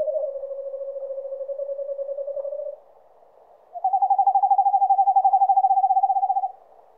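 Eastern Screech-Owl giving two long, even trills: a soft low monotone one, then after a pause a louder, slightly higher, pulsing trill.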